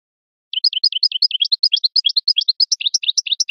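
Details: Goldfinch Parva song, recorded for teaching young birds: a continuous lively chain of quick rising and falling twittered notes, about three per second, growing varied and louder toward the end.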